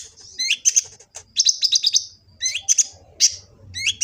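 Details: Kolibri ninja sunbird in Gresik, East Java, phone recording meant as a master song: rapid high chirps mixed with rising upslurred notes in quick phrases, over faint low background rumble.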